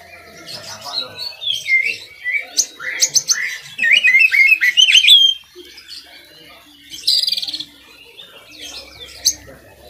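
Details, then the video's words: Oriental magpie-robin song, played so other kacer birds can learn it: scattered chirps building into a dense run of warbled, rising and falling whistles, then a brief rattling trill and sharp clicks. "kacer gacor buat masteran kacer"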